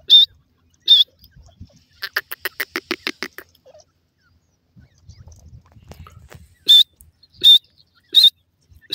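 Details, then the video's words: Sharp, high peeps from partridge chicks during a race: two peeps, then a quick train of softer, lower-pitched harmonic notes, a pause with low rustling, and four more loud peeps spaced evenly near the end. "partridge chicks natural sounds"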